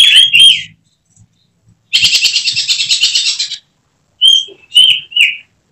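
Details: Caged oriental magpie-robin (kacer) groomed for contests: a whistled note, a long harsh buzzing rattle lasting over a second, then three short clear whistles.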